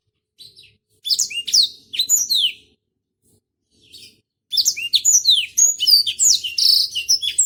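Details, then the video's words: Blackthroat of the Botswana type singing a slow "Peter Tosh" style song, used to train other birds; two short high whistled phrases with rising and falling notes, a pause, then a longer run of quick varied sweeping notes. "Blackthroat Botswana "Peter Tosh" Gacor Kicau slow cocok untuk masteran"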